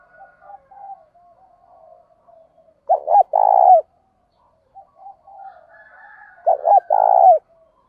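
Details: Spotted dove calling to provoke wild doves in daily training. Two phrases, each two short notes and a sustained throaty coo, sit among soft chattering from other birds.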